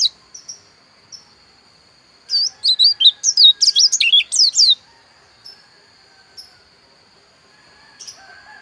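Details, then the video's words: Javan white-eye of the dakun kind from Pupuan, Bali, singing a loud, rapid warble of high, twisting, sliding whistled notes lasting about two and a half seconds, framed by a few soft single chirps. "Suara Pleci Dakun Bali Pupuan"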